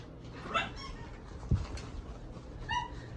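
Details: A huge blue male parrot bathing in a sink gives two short, nasal, squawking calls about two seconds apart, with a dull thump and faint room noise between them.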